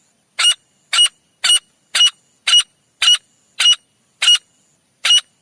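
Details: Male teetar partridge calling, recorded for use as a jungle hunting lure: harsh, short, broad notes repeated steadily about twice a second, nine in a row, with no other sounds.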